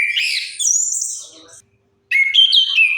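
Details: Orange-headed thrush song meant to lure silent birds into singing: a dense, high, rapid warble, a brief silence, then another bright fluid phrase of sliding whistles.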